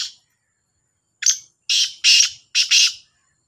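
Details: Black francolin, one of two birds calling in competition: a short harsh note, then a rhythmic series of four grating, buzzy phrases over about two seconds.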